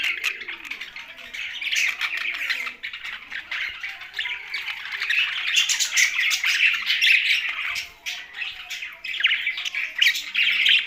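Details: Pet budgies sharing space with a parrot give steady, busy chattering, with rapid scratchy chirps and squeaks overlapping, growing louder in the middle, then easing and picking up again toward the end.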